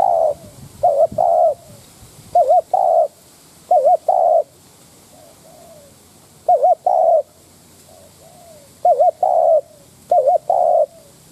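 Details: Decoy spotted dove cooing as a lure to stir wild doves: a quivering, wavering note followed by a longer smooth coo, the phrase repeated every few seconds over quiet background hiss.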